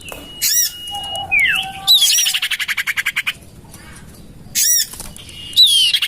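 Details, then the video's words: Common iora lure recording from a garden beside a house: level whistled notes, a falling slur and lower whistle, then loud looped squawks and a steady rhythmic series of about twelve buzzy notes, more squawks after. "Suara pikat burung sirtu cipoh terampuh sepanjang masa"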